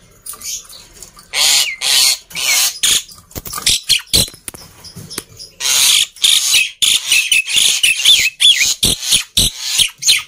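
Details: Black-winged myna singing noisily, aimed at getting quiet birds to sing: long stretches of harsh rasping screeches and clicks, with a few brief whistled notes near the end.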